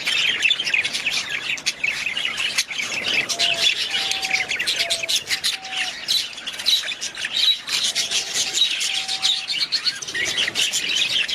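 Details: Budgerigars keep up long, unbroken chatter: buzzy warbles, clicks and high chirps layered together, with faint thin tonal notes in the background.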